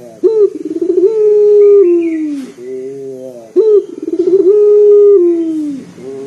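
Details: Two big, bassy coos about three seconds apart from a local Barbary dove, used to prompt other birds to call. Each opens with an abrupt note and a rippling stutter, then holds a long deep hoot that sags downward.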